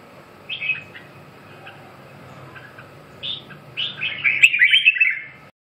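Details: Red-whiskered bulbul starting with a few soft scattered notes, then building into a loud, rich burst of rapid warbled whistles near the end; faint hum in the background.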